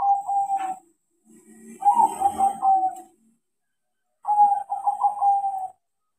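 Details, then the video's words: Crossbred zebra dove (perkutut), a trained bird singing actively. Three cooing phrases, each a fast run of pulsed coos at a steady mid pitch, separated by short pauses. Faint low rumbling noise sits under the middle phrase. "PERKUTUT CROSSING GACOR KARENA DIAJARI"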